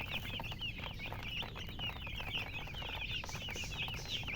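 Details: Shrill, quick chirps from colored chickens, bright peeps that rise and drop, repeated several times a second in a crowded, unbroken chatter over faint background rumble.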